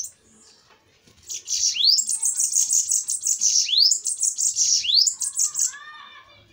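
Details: Bananaquits fighting in a song duel: a sustained, dense, high wheezy trill laced with several rising sweeps, ending in a few lower chattering notes.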